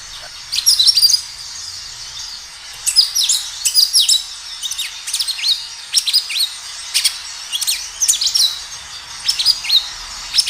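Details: Kinoi gacor song with natural ambience, a lure to get kinoi responding: steady sequence of short, high, sharply descending chirps and twitters, delivered in quick bursts across the whole stretch.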